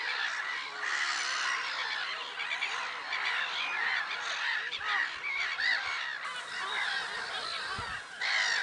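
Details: Black-headed gulls clamouring at Lake Sarymsak, Pavlodar Region, Kazakhstan, in April 2011, many harsh voices at once with lower rapid notes underneath and a few dull knocks.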